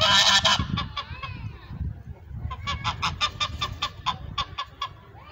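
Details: Pilgrim goose with orange feet calling: a loud harsh honk at the start, then a rapid series of short nasal honks repeated roughly three times a second, with low background rumble.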